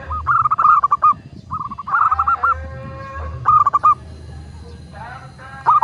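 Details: Local zebra dove, a recording meant to spur other doves to sing, delivering short trilled bursts of rapid cooing notes in several separate phrases, with a soft low hum underneath.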